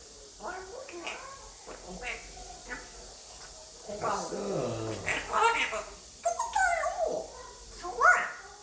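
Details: Inside a small room, a five-year-old male African grey parrot practises English, starting with soft mumbled syllables and building to louder speech-like phrases with bright, bending whistled tones.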